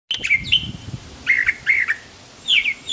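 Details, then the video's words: Brown thrasher, said to have around 1200 song types, singing a run of varied, clear, mid-pitched phrases, some given twice in quick succession, with short gaps between them. "Brown Thrasher, Burung Dengan 1200 Jenis Lagu"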